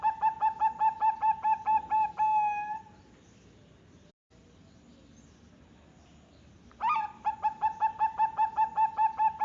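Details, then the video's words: Bangkok-type zebra dove, a female, in Jepara, Central Java, Indonesia: a rapid run of short, regular cooing notes ending in a drawn-out tone, then near silence for several seconds before another fast string of clipped notes starts up. "Perkutut Bangkok betina super seksi"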